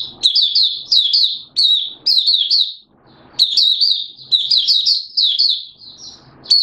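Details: Malaysian Oriental white-eye in the bird hobby, in 'buka sing' (open singing) style, Singapore, warm humid weather with sudden showers, 29 March 2023: bursts of high, rapid twittering notes sliding and chattering, broken by short pauses.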